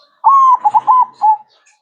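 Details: Zebra dove in manggung style, cooing vigorously: a soft, sustained tonal note, two quick bubbling notes, another held note, then a final short coo, all at a mellow, even pitch.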